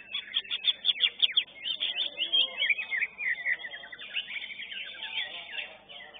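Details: Caged greater green leafbird, first-place winner in class 11 of a bird singing contest, delivering a dense, rapid run of sharp chirps, slurred whistles and trills packed tightly together, with loud bursts roughly every second.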